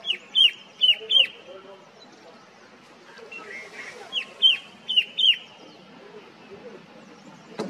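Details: In the hill forests of Mussoorie at Motidhar, a red-winged shrike-babbler gives three clear high, falling notes, then after a gap a longer run of five similar notes, with soft low murmuring and a click at the end.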